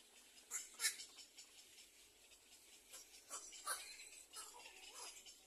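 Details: Nestling little egrets in the second nest wait to be fed, giving scattered hoarse, scratchy squawks in small clusters with short quiet gaps between bursts, against a steady hiss.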